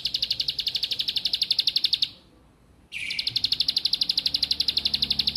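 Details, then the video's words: Bar-winged prinia in a long run of fast, regular, high-pitched pulsed notes, a pause of nearly a second, then a short buzz leading into another steady train, used to stimulate silent or learning birds. "Ciblek Ampuh !! Yang Tadinya Malas Bunyi Jadi Gacor , Yang Lagi Belajar Bunyi Jadi Aktif Riwik"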